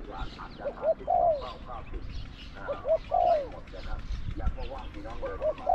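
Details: Spotted dove kept as a trapping decoy, calling against wild doves. It coos three phrases, each a pair of short notes then a longer downward-curving coo, with a man talking in the background.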